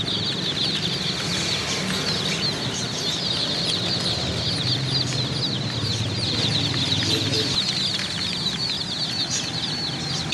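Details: A large group of chicks being bought peeps continuously for ten seconds, with high, quick, overlapping chirps and a steady low hum beneath.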